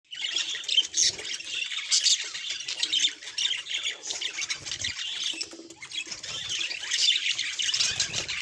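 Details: Pet budgerigar, described as happy, chattering continuously: dense, scratchy warbling and squawky chirps, high-pitched and busy throughout, with brief quieter gaps near the middle and faint low knocks beneath.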